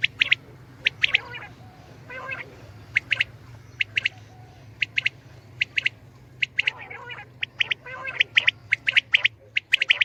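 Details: Common quail calling steadily: crisp triple notes repeated every second or so, interrupted by a few softer, scratchy bursts, then a faster run of bright notes at the end over low hum.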